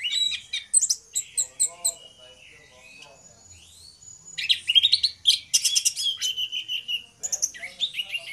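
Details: Two orange-headed thrushes (anis merah) singing loudly in the morning, a varied run of sharp high chirps and slurred whistles, with bursts of rapid buzzy notes and quieter gaps between phrases.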